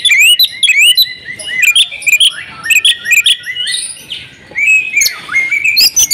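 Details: Oriental magpie-robin female calling a male to get him singing; fast sharp chirps and rising whistles at first, a quieter slurred passage midway, then loud piercing notes near the end.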